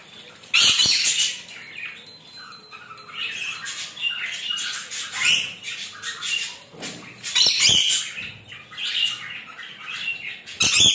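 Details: Rainbow lorikeet in a shower, enjoying the moment: loud harsh squawks burst out at intervals over a hissing background, with a sharp high peep near the end.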